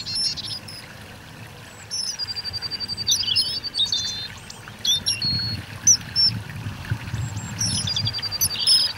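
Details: Common kingfisher along the Donge river uttering long thin high whistles and shrill note series, repeated in several bouts, with a soft trickling, pouring water sound beneath.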